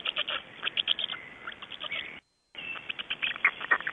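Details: Clattering black storks, Estonia, 26 May 2012, 05:15; uneven trains of sharp knocking pulses broken by a brief silent gap, with a faint drawn-out wheezy note running under the first half.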